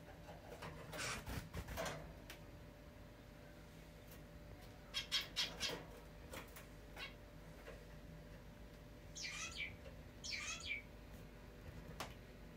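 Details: Indoor pet zebra finch, let out to fly, angrily scolding two other finches that keep interrupting its bath; short harsh nasal calls come in tight clusters midway and again near the end, amid broadband rustling and splashing bursts in a quiet room.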